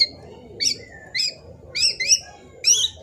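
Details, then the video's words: Young black-naped oriole with full variation, intended as a lure bird, uttering harsh descending nasal notes, one trailing into a low whistled slur, five bursts in three seconds over a low background murmur. "Suara kepodang emas anakan full fariasi sudah teler cocok utk pancingan"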